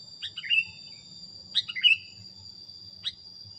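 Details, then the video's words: Sooty-headed bulbul training recording with two bubbly descending phrases in quick succession, then a single sharp note, all over a constant high insect buzz. "suara masteran kutilang"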